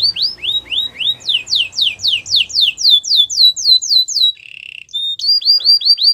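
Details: Training song from a canary: a long run of loud sweeping whistled notes, each falling then rising, repeated several times a second, broken by a short low buzzy roll before more rapid upslurs.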